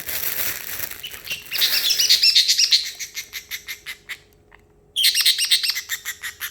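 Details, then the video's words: An excited pet parrotlet in a high mood after treats imitates water sounds: rapid, high, bubbly chirps and clicks, a burst of dripping, water-like sounds about three times a second, with a brief pause mid-sequence. "parrotlet making water sounds"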